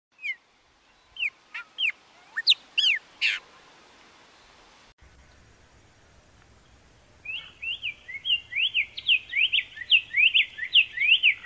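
Black-faced Tanager song: a few sharp, high slurred notes, then after a pause a fast, steady run of bright upslurred whistles.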